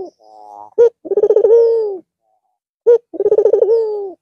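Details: Red-eyed white Barbary dove resuming its cooing after the long Eid al-Fitr holiday. Two full coos, each a crisp introductory note, then rolling quick pulses stretching into a long, gently dropping note.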